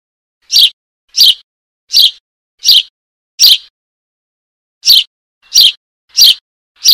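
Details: Baby Eurasian tree sparrow begging for its mother with nine harsh, high chirps, five quick ones in a row, a pause of over a second, then four more at the same brisk pace; clean recording.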